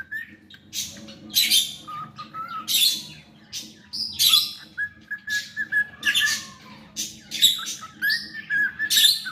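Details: Pet cockatiel singing: short flat whistles alternate with loud raspy, buzzy bursts roughly every second, forming a choppy, repeated phrase.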